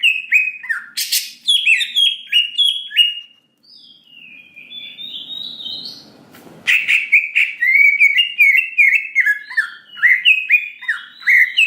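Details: Greater green leafbird song used as a lure to provoke a quick emotional response and loud singing: rapid slurred whistled notes, a brief quiet spell, a sharp burst, then more fast, varied whistled phrases.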